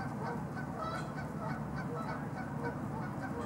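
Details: Canada goose (Branta canadensis) filmed in Los Gatos, California, USA, on 16 March 2019: faint low honks heard a few times through heavy steady background noise and rumble.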